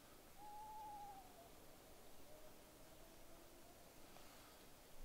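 Eastern screech owl giving a soft, whistled note that holds level, then slides down into a fainter, wavering descending trail against a quiet background.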